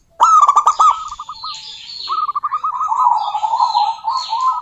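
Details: Female zebra dove of the local type calling to a rival opens with a loud rattling burst, then long strings of quick, evenly pulsed coo notes, with thin high chirps overhead.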